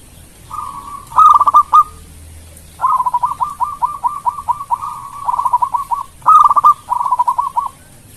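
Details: Local zebra dove in Indonesia singing a sweet song intended to make rivals respond quickly; a drawn coo leads into clipped stutters, followed by long chains of rapid, evenly repeated cooing notes.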